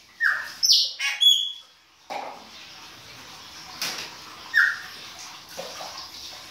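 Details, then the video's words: Chopi blackbird singing in the baianinho style in winter: a few loud, clear whistled and slurred notes in the first two seconds, then only faint rustling and background noise. "PÁSSARO PRETO BAIANINHO E SUAS CANTORIA DE INVERNO !"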